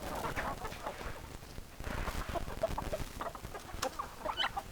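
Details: Chickens clucking: short, choppy clucks from several hens, a few sharper higher notes near the end, over a low, noisy background rumble.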